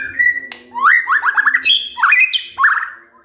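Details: Continuous white-rumped shama song at morning, used to stir other birds: a steady whistle, then a fast rippling series of rising notes, high sliding whistles and a final warbled phrase.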